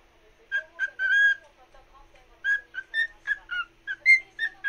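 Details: A cockatiel whistles a song to another cockatiel: a long held note, a quieter pause with faint soft notes, then a string of short clear whistles.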